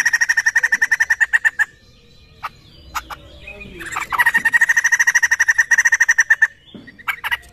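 A laughingthrush gives two bursts of rapid, evenly spaced harsh notes, about ten a second, separated by a few quieter clicks and chirps.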